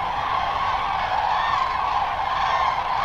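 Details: Migrating Common Cranes at a lake stopover in northern France, Lac du Der-Chantecoq, flying back to their night roost in late afternoon. A loud, continuous mass of overlapping rolling trumpet calls from many birds.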